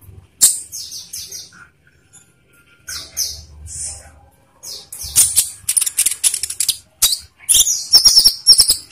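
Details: Olive-backed sunbird song played as a lure to make caged birds sing: rapid, very high-pitched twittering and sharp chirps in irregular bursts, growing denser toward the end, with occasional clicks and wing flutters.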